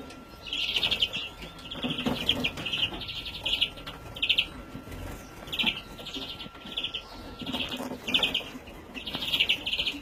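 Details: Juvenile European greenfinch, 2017, repeating buzzy twittering bursts every second or so, each a rapid trill of chirps, with a soft background hum and light rustling.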